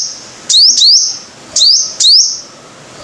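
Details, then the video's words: Five-coloured sunbird lure recording: two quick doubled bursts of shrill notes. Each note sweeps sharply upward and then holds as a thin ringing whistle, with a brief hush between the pairs. "Tiếng chim hút mật 5 màu"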